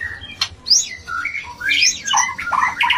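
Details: Mating sound of a white-rumped shama, used to lift breeding urge, made of harsh squawky notes and twisting whistles that sweep up and down in a dense, scratchy jumble.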